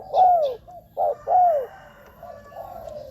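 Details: Spotted dove decoy calling to lure wild doves, with a long descending coo, then a short note and another long falling coo, fading into softer, muffled cooing.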